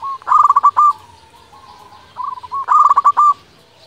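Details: Zebra dove of a local strain, a lure call meant to provoke rivals into answering: two loud staccato cooing phrases, each a quick stutter of notes ending in a held tone, with a quiet coo between them.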